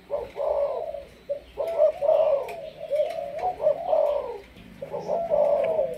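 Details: Malaysian spotted dove of the 'sấm thorn' decoy type cooing steadily: soft burred phrases of linked coos, each rising then dropping, repeated continuously with light chirping in the background.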